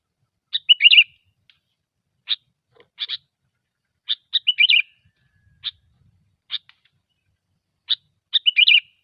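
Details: Sooty-headed bulbul, gecor song used for luring: recurring bouts of sharp chips building into short liquid warbles, repeated roughly every few seconds across nine seconds.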